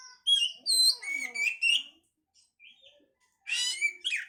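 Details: Oriental magpie-robin song used to stimulate breeding condition: a fast run of varied whistles and slurred notes, a brief pause with soft notes, then a loud scratchy chattering burst.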